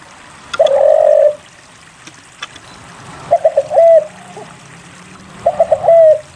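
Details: Spotted dove in vigorous song, used as a lure to prompt reluctant doves to sing. Three cooing phrases, each a few quick stuttered notes and then a long falling coo, repeating every two to three seconds. Faint clicks between.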